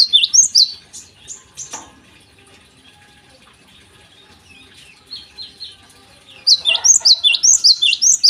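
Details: Morning song of a Java sparrow, used as a lure to prompt untrained birds to sing. Fast high chirps at the start, scattered softer notes, then a dense, busy burst of rapid chipping to the end, a short splash midway.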